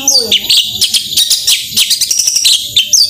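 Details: Energetic 'gacor tembakan' song of a long-tailed shrike, played to spur reluctant birds: a low descending slur at the start, then rapid scratchy chirps and brief high whistles.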